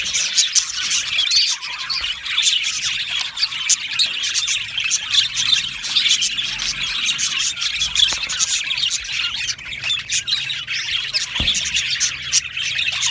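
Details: Colony of Australian budgerigars in an aviary, long stretch of continuous busy chirping and squeaky warbling from many birds, with a few sharp clicks and occasional louder chirps.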